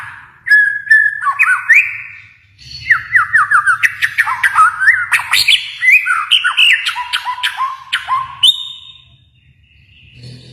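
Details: Kalimantan white-rumped shama delivering a long, rich, varied song of rapid rising and falling whistles and sharp chipping notes, with a faint low hum underneath.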